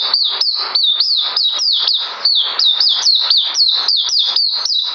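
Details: A white-eye due for deworming, recorded on 9 December 2018, sings an unbroken series of high, thin upward-flicking notes that fall away, repeated briskly several times per second.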